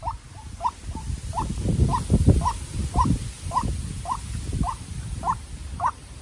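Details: Young decoy White-breasted Waterhen confronting a wild waterhen: a steady series of quick upslurred notes roughly every half second, with strong low rumbling and knocking noise underneath.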